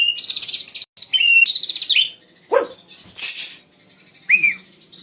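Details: White-rumped shama opening with a fast warbled, trilling phrase of high notes, then falling quiet apart from a few scratchy calls and one clear downslurred whistle.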